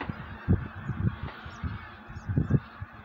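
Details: Wild geese getting ready to migrate give low, clipped honks in short bursts, two pairs of notes about two seconds apart, over a steady background rumble.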